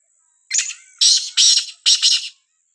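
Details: Black francolin, called Sindhi kala teetar, calling in a village: a harsh, grating phrase of four rasping bursts over about two seconds, the first shorter and the last broken in two, with a faint steady high hiss behind.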